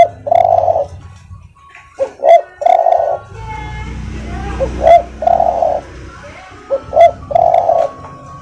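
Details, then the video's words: Spotted dove cooing in soft, mellow, low phrases: a drawn-out coo alternating with one or two quick short notes, repeated every few seconds over a faint low hum. "tekukur suara empuk"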